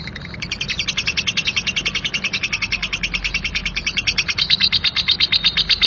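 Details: A lovebird pours out a harsh 'ngekek' chatter, a quick unbroken sequence of rasping high notes that gets louder toward the end.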